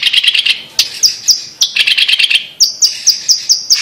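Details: Blue-masked leafbird, found in Sumatra's humid montane forest, giving buzzy chattering bursts broken by a few high sharp notes, ending in a steady series of piercing whistled notes.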